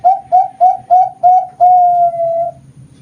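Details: Bangkok-strain zebra dove, competition quality, captive-bred at a farm in Kroya, Cilacap, Central Java, Indonesia: five rapid rounded coos about three per second, closing with a drawn-out steady note lasting roughly a second.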